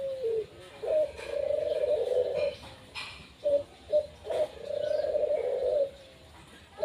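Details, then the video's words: Owned puter, the Barbary dove, singing in a performance bout: a brief low coo, then a long vibrating coo, a few short clipped notes, and another drawn-out rolling coo, indoors with little background noise. "Burung puterku manggung"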